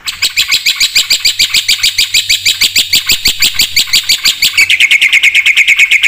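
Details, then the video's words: Black-winged starling singing energetically in a full song with fill-in phrases: rapid, rattling, high notes repeated about three times a second, turning into a buzzier, tighter series near the end. "suara burung jalak putih gacor full isian"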